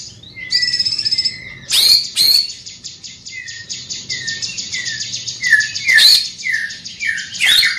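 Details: Greater green leafbird, large-bodied with a loud voice, repeats short falling whistles over a steady high buzzing trill, punctuated by sudden sharp, explosive notes.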